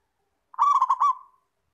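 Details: Single phrase from a local zebra dove used as a tutor bird: a rapid series of rolled, bubbling coos ending in a soft trailing note, clean and close.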